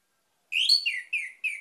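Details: Lure song of an orange-headed thrush meant to set other birds singing: a short run of sharp, high, slurred chirping notes in quick succession, each phrase dropping slightly in pitch, with no other sounds.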